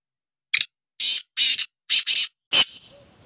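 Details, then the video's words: Black francolin, or kala teetar, calling in a run of five grating, buzzy notes spaced roughly half a second apart, the last one sharper and followed by a short fading tail of faint sounds. "blackfrancolin black teetar ki awaz kala teetar ki awaz sindhi teetar ki awaz desi teetar ki awaz"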